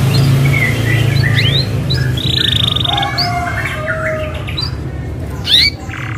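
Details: Isabel canary rolling song used to prompt other canaries to sing: varied rising and falling whistles, a buzzy trill, and sharp upsweeps, over a loud steady low hum.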